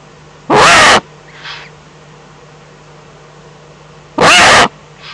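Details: Eurasian eagle-owl, Eifel, April 2014: two long, coarse, hissing screeches nearly four seconds apart, each followed by a faint, fainter echo-like rasp.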